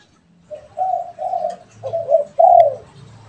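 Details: Pet and wild spotted doves calling back and forth: one phrase of soft, throaty coos, two drawn-out notes, then a short double note and a stressed, falling final coo.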